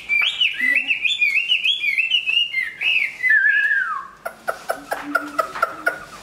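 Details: Chinese hwamei, large and renowned as a good singer and fighter, in the middle of its moult, pours out a flowing whistled phrase that slides lower toward its close, followed by a series of crisp clicking taps.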